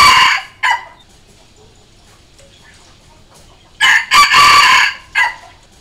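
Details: A decoy Red junglefowl crows to challenge wild birds. The end of one crow opens the recording, followed by a short note. After a few seconds of silence comes a full crow: a short note, a long hoarse drawn-out phrase and a clipped final note.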